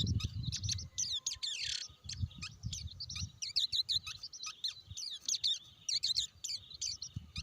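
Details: Blue-winged leafbird calling: a lively, varied stream of high, sharp chirps, slurred whistles and quick twittering notes, nearly continuous, over a steady low rumble of background noise.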